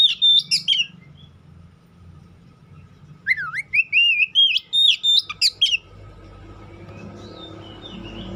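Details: White-rumped shama song: whistled notes, a pause, then a swooping rising phrase with quick chips, ending in a rising background noise.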